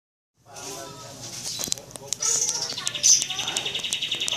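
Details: Pied trillers (Lalage nigra) call back and forth in a lure recording, with quick, high, chattering trills and dense overlapping chirps, and faint voices low in the background.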